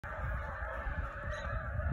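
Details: Large flock of Canada geese at a rural Michigan homestead in the evening, preparing to leave for the night on islands in Saginaw Bay: a dense, unbroken chorus of overlapping honks over a steady low rumble.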